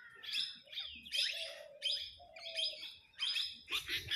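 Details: Parrots arguing among themselves over food in a flock: rapid, grating chirp bursts roughly every half second, interleaved with lower, steady, hoarse drawn-out notes.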